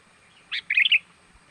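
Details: Lure call of a sooty-headed bulbul meant to attract wild birds: one brief bright note followed by a fast cluster of chattering, liquid whistles, clear against near silence.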